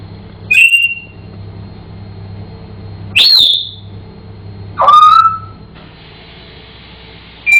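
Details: African grey parrot, a house pet, singing: four clear whistled notes a couple of seconds apart, high at first, then one lower, fuller note, over a steady indoor hum.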